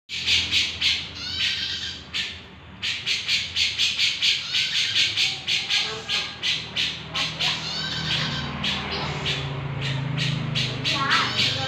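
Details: Grey-cheeked bulbul (cucak jenggot) singing energetically: fast runs of harsh, buzzy chattering notes, about four a second, in bursts with a short pause, over a low background hum.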